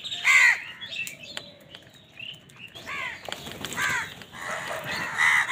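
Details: Morning gathering of crows battling wild birds for food: a sharp loud caw, a quiet gap with faint chirps, then a rapid run of overlapping rasping caws.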